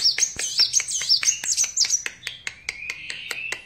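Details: Sunbird, locally kolibri wulung or kaca, in lively song: quick high, sweeping twitter that gives way to evenly spaced sharp ticks and a thin, steady buzzy tone at the end.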